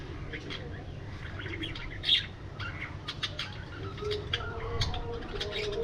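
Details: Aviary budgerigars give scattered high chirps and twittering, with one loud sharp note about two seconds in. A low rumbling background and faint sustained tones lie beneath the birds.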